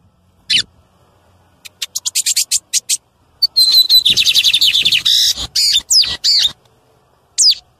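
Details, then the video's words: Loud song of a male lined seedeater in nature, used to stimulate other birds: one sharp chip, then a quick series of high ticking notes leading into a rapid buzzy trill and loud sweeping chirps, ending with a single note. "BIGODINHO CANTO ALTO PARA ENCARTE"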